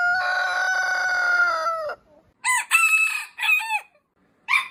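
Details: Rooster crowing in the morning: a long, steady crow of nearly two seconds ending in a downward slide, then three short, rasping crow fragments spaced by silences.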